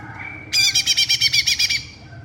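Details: Greater green leafbird (cucak ijo) on a training tutor track: after a quiet start, a bright rapid trill of about twelve evenly spaced, high metallic pulses lasting under one and a half seconds, then fading to faint background hum.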